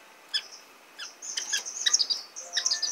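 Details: Orange-cheeked Waxbill (Estrilda melpoda) chicks begging while being fed, with thin, high, rapid squeaky chirps in excited bursts, thickening into a continuous twittering chorus.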